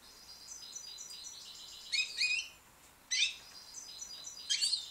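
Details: Singing young white goldfinch from Britain: faint, high tinkling twitters and short trilled bursts, several louder chirpy phrases standing out against a soft background hiss.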